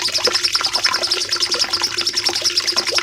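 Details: Cucak cungkok bulbul, recorded for training caged birds, delivers a long burst of evenly repeated high, sharp notes at a rapid pace, about three per second in pulses, with softer chatter below.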